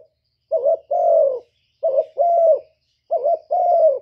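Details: Decoy spotted dove giving its cooing call: three paired phrases, each a brief throaty note followed by a longer, slightly falling coo, spaced about one and a half seconds apart against silence.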